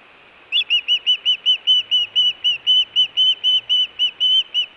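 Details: Wild osprey at a nest in Hellgate, Montana, June 2017, calling for fish or in alarm: a long steady run of clear, piercing whistled notes, about three per second, evenly spaced and unchanging in pitch.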